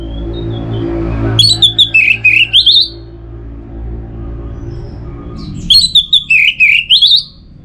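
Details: Orange-headed thrush song meant to stimulate other birds: two phrases, each a quick series of six or so wavering whistled notes falling then rising, over a low droning background.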